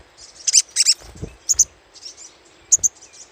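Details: Little spiderhunter chatter used as a lure: a few quick, piercing high chips in pairs and threes, with soft low thumps in between.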